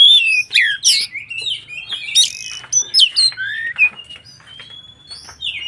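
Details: White-rumped shama singing to provoke other shamas: bright varied whistles, sharp upward and downward slurs and brief chatters, loud at the start and gradually softer with a thin sustained whistle near the end.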